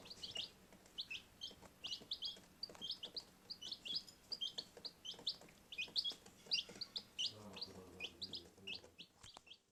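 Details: Indoor baby chicks in a utility room chirping steadily, many short, high peeps overlapping in a busy chorus, with a faint lower clucking murmur near the end.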